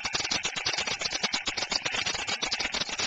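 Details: A White stork pair in Przygodzice, 3 May 2012, clatter their bills in a fast, dry, wooden rattle running unbroken for several seconds, fiercely driving an intruder from their nest and eggs.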